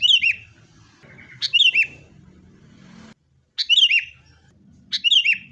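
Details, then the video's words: Sooty-headed bulbul in fighting mode, a lure to get caged birds singing: brief loud bursts of liquid, down-slurred chirps spaced about every one and a half seconds over a soft background rumble. "kutilang gacor TARUNG buat pancingan kutilang agar bunyi"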